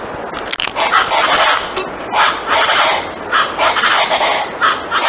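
Colombian chachalacas give loud, harsh, raucous notes in rapid rhythmic bursts, about one or two each second, over a steady high insect-like hiss.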